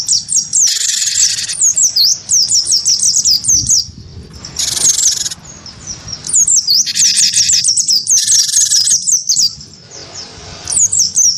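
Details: Great tit (gelatik batu wingko) provoked by a white-eye into a fighting song; repeated bursts of quick, high, slurred whistles alternate with harsh buzzy chattering blocks over about eleven seconds.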